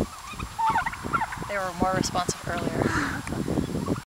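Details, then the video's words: A turkey gobbles in a rapid, rattling burst of harmonic gulps, with scattered clucks before and after and faint background rustle. "Turkey call"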